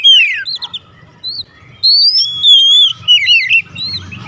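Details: Oriental magpie-robin 'nembak' song: a falling whistled slur, scattered short notes, then sustained pure whistles and a wavering trill.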